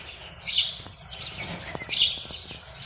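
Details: At a nest box on a February morning, a male house sparrow calls to attract a female in breeding season: two loud, grating chirps 1.4 seconds apart, a few faint clicks and softer chirps between.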